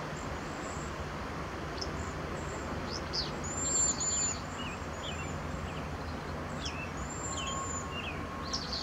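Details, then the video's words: Cedar waxwings give thin, very high, hissing trills in scattered bursts, with other brief chirps over a steady low traffic rumble. "Cedar waxwings calling"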